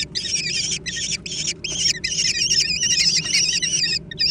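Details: Young American kestrels squabbling over food give harsh, raspy, high squeals in rapid, overlapping bursts, about two or three a second, with a low background hum.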